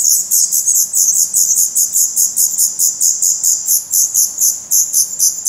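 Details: Black redstart chicks in a Portuguese nest, eyes open, May 2020: an unbroken, intense stream of very high, fast-pulsed squeaky notes at a steady level.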